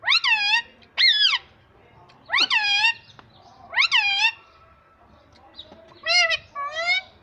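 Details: Cute pet ringneck parrot talking in a series of six loud, nasal, wavering harmonic utterances, each under a second long, spaced about a second apart, in a quiet room.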